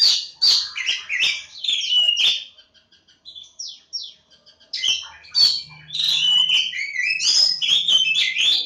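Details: Oriental magpie-robin (kacer jawa) singing bursts of sharp chirps and whistles, a quieter stretch of soft scattered notes, then a loud continuous flow of varied warbling and trills; a brief low hum midway.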